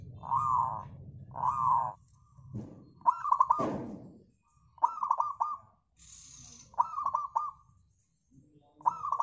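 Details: Local zebra dove song played as a lure to prompt other birds, repeated bursts of quick rolling coos, mixed with other loud cooing calls and a brief noisy rustle.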